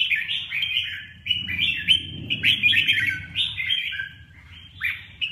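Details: Red-whiskered bulbul pouring out a long, continuous string of quick slurred whistles and chirps that rise and drop, against a faint low background hum.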